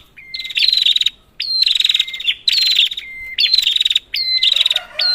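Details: Red-headed prinia calls used as a lure for a prinia that has stopped singing. Rapid harsh buzzy bursts repeat about once a second, most led by a thin steady whistle. A softer lower rustle comes near the end.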